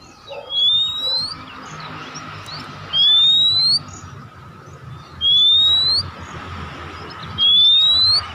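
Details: Kacer, the Oriental magpie-robin, in a lure recording for birds slow to sing: one clean upslurred whistle repeats four times, about every two seconds, over a steady background hiss and hum.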